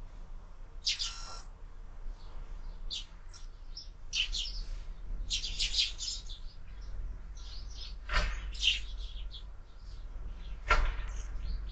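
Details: Sparrows feeding at a window-mounted feeder on a morning visit, trading scattered bright chirps and short chattering runs, broken by a couple of sharp knocks as birds land or peck.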